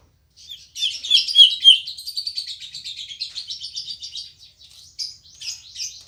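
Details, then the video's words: Cucak ijo, the green leafbird, kept at a house, delivering a continuous rapid twittering warble of fast high notes, loudest early then steady, ending in separate sweeping whistles; quiet background. "Suara Burung Cucak Ijo Gacor Apik Merdu"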